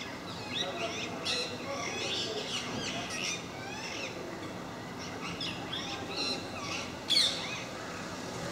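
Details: Raucous chatter from a visiting group of parakeets at MK park: rapid rasping squawks run together, with one sharp loud note near the end.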